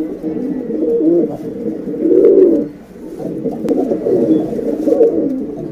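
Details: Female pigeons calling to males: low, soft coos roll on continuously in overlapping murmuring bursts, several birds seemingly cooing together in a close, indoor-sounding space.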